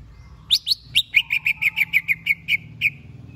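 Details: Greater green leafbird prepared for a singing contest, delivering a rapid series of about thirteen clear, sharp chirps that start high and settle lower, evenly spaced over three seconds, over a faint low hum.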